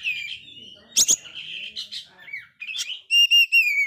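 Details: Oriental magpie-robin with a failed moult, singing busily, used to provoke dispirited magpie-robins; a sustained whistled note, a loud harsh burst, a wavering trill, then three clear piping whistles repeated in quick succession.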